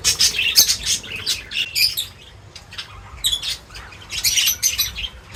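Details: Many birds at a feeder chirp and squawk in rapid overlapping bursts, bright high twitters coming in clusters, with wing flutters mixed through.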